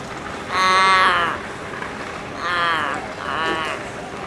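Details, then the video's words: Chatty Australian raven in Sydney producing an amusing variety of sounds: three drawn-out, harmonic, cat-like wailing calls, the first longest at about a second, the next two shorter and lower, with quiet pauses between. "Raven making strange sounds."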